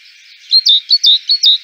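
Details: Great tit giving a series of sharp, high two-part chirping notes, about six quick bright phrases repeated close together over under two seconds, with no other sounds.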